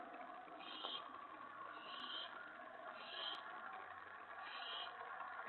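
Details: Owlets at night, 1:55 AM on May 28 2017, after a huge rat was delivered to their porch: short rasping hisses roughly every one to one and a half seconds, beneath constant broad background hiss.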